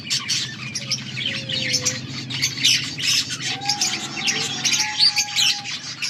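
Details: Chirping budgerigars from August 14, 2024: busy high chatter of many birds, with a few longer thin whistled tones drawn out beneath the scratchy twitters.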